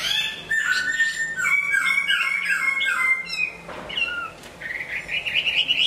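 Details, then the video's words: Chinese hwamei singing while moulting: rich, loud whistled phrases, sliding and repeated rapidly, with a harsh buzzy note midway and a rising trill at the end. "Hoạ mi hót khi đang thay lông"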